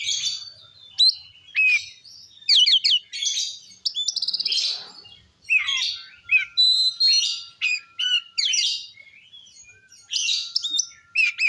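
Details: Oriental magpie-robin in long, continuous, varied song used to rile rival magpie-robins: quick whistled slurs, rattling trills and sharp chirps follow with hardly a pause, over a faint steady tone.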